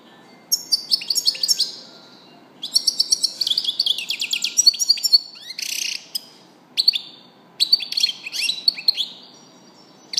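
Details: European goldfinch delivering a lively twittering song, quick series of sharp chirps and rattling trills in repeated bursts with brief gaps, clear and close.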